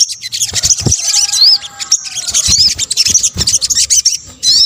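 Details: Sunbird, called sogok ontong locally in Indonesia, used to attract birds: high rapid twitters and looping whistled slurs, interrupted by a few low thuds.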